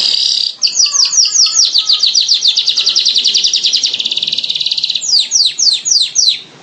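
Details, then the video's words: Streaked weaver giving a long, rapid series of high, sharp, downslurred chattering notes that speed into a dense buzzing trill, then slow again into separate scratchy notes near the end. "SUARA BURUNG MANYAR KEMBANG"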